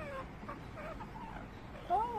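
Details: A baby African grey parrot trying to talk makes wavering, speech-like squeaks and chirrups in a mid pitch, ending in a louder rising whistle-like note.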